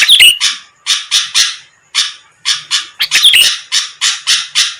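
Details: Sooty-headed bulbul recorded to entice rival birds to answer; rough, hissing bursts in loose series with a sharp squeaky chirp at the start and again midway, gaps of under a second.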